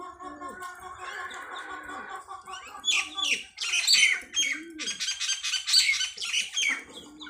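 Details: Wild sparrows feeding on feed at a poultry farm; dense bursts of high, sharp chirps and twitters from several birds, with lower clucking and bleating farm sounds in the first seconds.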